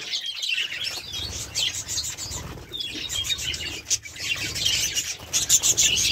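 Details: Budgerigars twitter continuously, a bright jumble of quick squeaky notes and trills that swells toward the end, with a soft low background drone.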